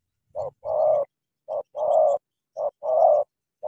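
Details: Spotted dove from Cà Mau, a caged decoy bird facing a wild dove. The call comes three times as a short clipped note followed by a longer, steady, hoarse coo, about one pair per second, in otherwise quiet surroundings.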